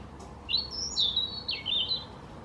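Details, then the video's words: European robin singing in forest: a high, thin, tumbling phrase of quick sliding whistles and trills, rising and falling over about two seconds against a quiet background. "Singing of forest birds - robin"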